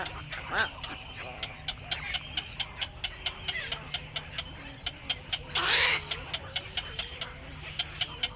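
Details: Evening scene of a black-crowned night heron coming back to the nest: a single coarse, hoarse squawk about halfway through, set against rapid regular ticking and scattered chatter from other birds.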